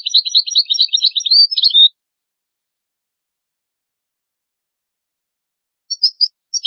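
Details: European goldfinch tutor song for teaching young goldfinches and hybrid chicks to sing: a two-second burst of rapid, liquid twittering notes, then a long silence and a few brief high chirps near the end. Background otherwise clean.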